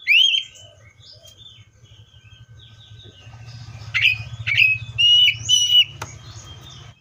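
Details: Seychelles magpie-robin singing: a loud whistled slurred note at the start, then after a quiet gap a burst of sharp rising whistles and clicks over a steady low hum.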